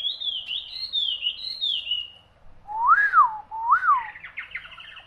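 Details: Hwamei song: sweet whistled phrases wavering up and down, followed by two loud rising-and-falling slurred whistles, then a quick burst of short twittering notes.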